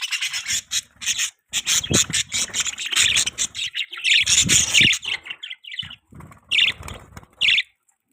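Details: Pet budgerigars chirping: a steady, busy warble of scratchy high chirps and chatter, with a few soft low thuds and rustles mixed in, ending with short separate chirps.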